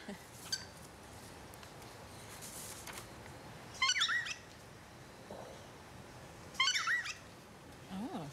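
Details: Alex, a pet cockatiel known for honking, gives two loud, nasal honks about three seconds apart, each quickly rising and falling in pitch, over faint voices and room noise, coaxed with a toy during a live TV interview from Brisbane.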